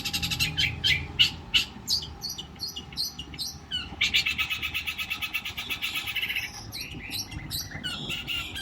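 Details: Long-tailed shrike in rich imitative 'nembak kasar' song: rhythmic bursts of high scratchy notes, then a long fast buzzy chatter, ending in slurred squeaky whistles.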